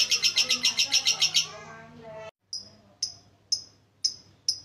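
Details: Lovebird used as a lure for idle birds: a fast, loud trill of high chirps for about a second and a half fades out, then after a short pause sharp single 'ngetik' ticks follow roughly every half second.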